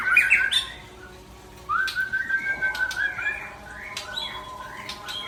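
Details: A white-rumped shama (Murai Aceh) opens with a short scratchy burst, goes quiet, then delivers a string of rising whistled notes with scattered clicks.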